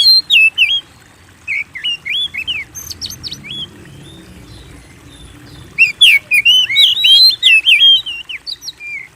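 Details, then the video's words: Singing of a white-rumped shama meant to get kept birds singing: whistled slurs and quick high chirps, a quiet gap of several seconds, then a dense burst of varied notes. "Pancing Burung Kacer Gacor"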